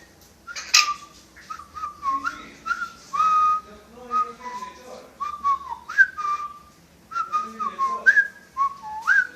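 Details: Parrot kept as a pet, reported to whistle several tunes including a marching song, delivers a long sequence of short whistled notes with slides and pitch steps, plus occasional clicks and faint voices.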